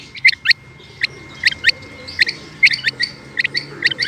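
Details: A female Rain Quail (batair) gives crisp, high metallic notes, mostly in close pairs, with short gaps between bursts. A thin constant hum is heard behind them.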